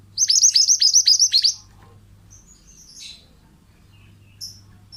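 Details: Pied bushchat song used as a training recording for other birds: a fast run of about nine sharp, high, repeated notes over roughly one and a half seconds, then scattered faint chirps and short high notes in a quiet background.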